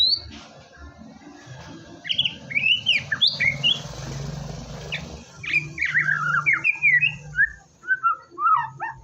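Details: Gacor white-rumped shama singing, used to coax a reluctant shama into song: scattered sharp whistled notes, then a run of varied descending whistles and chips over a steady low hum.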